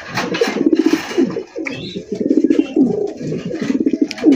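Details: Racing pigeons at a pigeon seller's, kept with chicks, give deep, throaty rolling coos repeated in soft bursts; finding: domestic pigeon.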